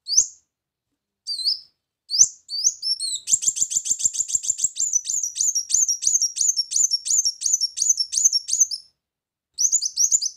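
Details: Brown-throated sunbird lure song: a few scattered high chirps, then a long rapid run of sharp, tinkling notes lasting about five seconds, ending with a short closing burst.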